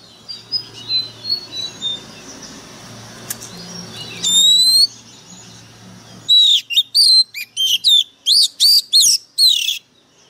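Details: Caged Oriental magpie-robin decoy singing harshly: soft scattered twitters over background hum, one long pure whistle, then a fast, energetic run of repeated sharp up-and-down whistled notes.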